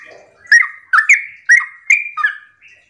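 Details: Five rich, gurgling whistled phrases from a sooty-headed bulbul's morning song, the 'ropel' style used to make other bulbuls join in, with a faint low murmur at the start.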